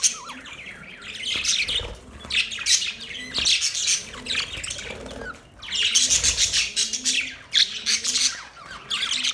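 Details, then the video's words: Busy budgie chatter: overlapping high, scratchy chirps and squawky twitters pour out almost nonstop, swelling and fading in waves every couple of seconds. "Beautiful chirping sound"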